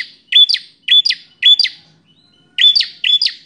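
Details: Bar-winged prinia with a fighter's temperament singing fast: five quick, high, bright two-note whistled phrases in rapid succession, a brief pause, then two more.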